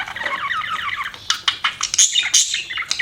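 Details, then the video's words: Pet budgies give a scratchy, wavering warble followed by sharp clicks and squeaky chirps in quick, uneven succession. "BUDGIES CHIRPING SOUND"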